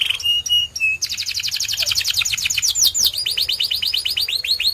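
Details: Short whistled notes from a white canary lead into a dense, fast trill, followed by a run of looping, falling whistles in quick succession.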